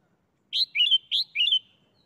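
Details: Caged Red-whiskered bulbul doubling its phrase in the เบิ้ล song style: a loud clear whistle running into a rippling, falling warble, sung twice with hardly a pause, in otherwise still surroundings.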